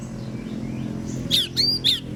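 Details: Oriental magpie-robin (kacer) singing in the morning in gacor ngeplong style, used to prompt other magpie-robins to answer: three short, bright whistled notes, partly rising and falling, in quick succession over a steady low hum.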